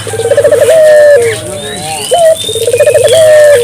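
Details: Barbary dove in energetic calling meant to prompt local doves to call: two bouts of rapid rolling coos each ending in a held, slightly falling hoot, separated by a short upslurred note, with a low background hum.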